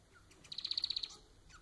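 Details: Pet society finch (Manon) singing, played to encourage another pet to sing: a soft faint note, then a quick run of about nine rapid, evenly spaced clicking high notes, ending with a short descending whistle.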